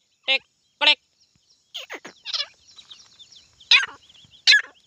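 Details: Grey francolin, called desi titar locally: loud harsh rasping bursts rich in harmonics, two single notes, then a quick cluster of three, then two more spaced about a second apart, with faint thin chirps from other birds behind.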